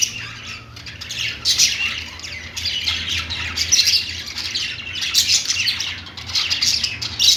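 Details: Several budgies chirping on their perch, a busy stream of scratchy, high-pitched warbles and short squawks rising in clustered bursts, with a faint low hum underneath.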